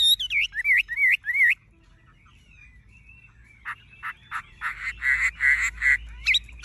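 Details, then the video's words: A tame caged Chinese hwamei with bright golden-yellow plumage sings loud rich whistled phrases, four quick repeated slurred notes, then after a pause a run of brighter, harsher repeated notes. "Họa mi thuần đét chân mỏ lông lá vàng ươm - Hót như máy"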